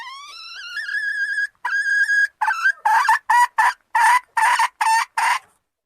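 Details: Hen calling: a drawn-out, rich, slightly rising tonal note, a second shorter drawn note, then about nine clipped, evenly spaced notes in quick series, against a silent background.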